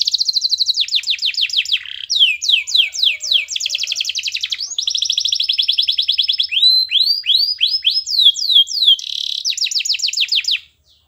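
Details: Canary master song intended to get other birds singing, a continuous varied performance of rapid trills, rolling chirps and swooping whistled notes changing every second or so, fading out at the end.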